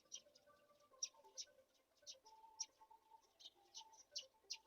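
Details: Black-shouldered kite chicks at a feeding with a mouse, giving sharp, high, hissy squeaks at irregular intervals of about a second, some doubled. Low, faint tonal background notes run underneath.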